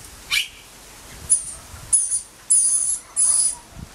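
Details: A rainbow lorikeet chick in spring, with its mother nearby, cries away: four thin, very high hissing cries, each up to half a second, after one short harsher chirp. Quiet background.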